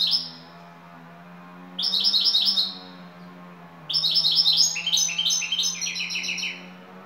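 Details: European goldfinch singing the şakşaklı style, a lead bird from Turkey: three bursts of rapid chattering, twittering notes, the last one longest and most varied, over a steady low electrical hum.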